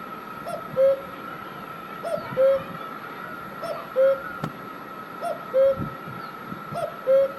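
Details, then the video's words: Cuckoo calling in Himachal Pradesh, India; a two-note cu-coo, a soft higher note followed by a louder, lower hooted note, repeated about every one and a half seconds, with faint clicks and steady background hum. "Cuckoo Bird Sound"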